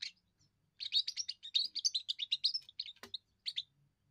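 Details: Young European goldfinch singing its first song for territory and attracting females: a quick sequence of bright, high twittering notes with a brief sharp click near the end, then a short final chirp.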